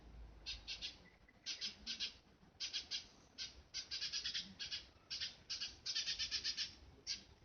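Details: A hand-reared young Eurasian tree sparrow, picked up from a road and short of flight feathers, reacts to hearing birds for the first time with bursts of loud, scratchy chirps, grouped in runs of three to six notes.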